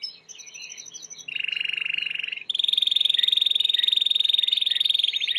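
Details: Timbrado canary, white canary, in training song: brief varied notes lead into a low rolling trill, then a long loud high rapid trill held to the end.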